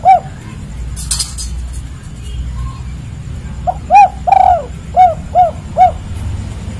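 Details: Spotted dove (tekukur, derkuku) in the kuk 3 call style: one coo at the start, then a quiet gap with a short hiss. A run of soft hollow coos follows, one longer and wavering, over a low rumbling background.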